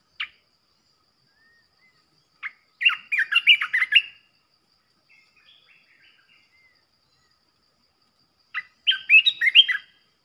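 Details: Red-whiskered bulbul, a fierce decoy bird provoking other bulbuls, gives two lively warbled phrases several seconds apart, each a quick jumble of sharp, slurred whistles, with soft scattered notes between them.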